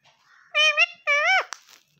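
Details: Speech-like utterance from a green ring-necked parakeet imitating Urdu/Hindi words like "mian mithoo": two clear, voiced, childlike syllables, the second curving downward at its end, followed by a sharp click.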